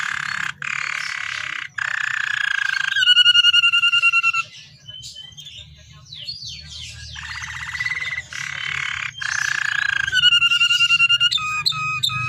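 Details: Canary with a rich, ornate song, used as a lure to prompt captive canaries to sing: dense buzzy rolls, rapid rattling trills and whistled slurs, with a quieter pause midway and a low hum throughout.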